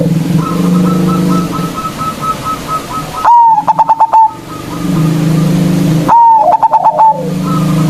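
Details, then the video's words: Zebra dove, a local bird used as a lure to call up rivals: two loud phrases, each a whistled note breaking into rapid staccato notes, over a constant low rumble and background cooing with a thin repeated chirping. "Perkutut Lokal GACOR suara Besar Ampuh memanggil Lawan"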